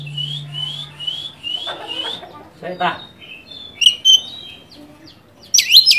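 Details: Oriental magpie-robin song used to provoke a rival bird: a run of short rising whistled notes repeated evenly, then scattered buzzy chirps and sharp high trills, with a low steady hum early on.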